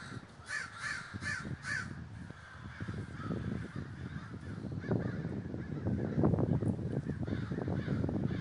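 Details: Crows gathering in a large flock at Davis, California: a quick run of four harsh caws at the start, then a dense low rumbling background with scattered distant calls.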